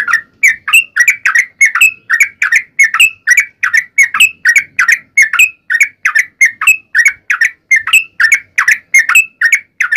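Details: Sooty-headed bulbul giving a long continuous 'ropel' song meant to trigger other bulbuls to sing back; an unbroken chain of quick chirpy whistled phrases, evenly spaced, over a quiet background.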